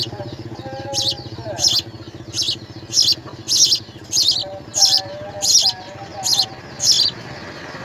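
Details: House sparrow chicks begging as a parent brings insects to the nest, giving rapid harsh chirping bursts repeated roughly every three-quarters of a second; a low engine hum and faint tonal notes run underneath.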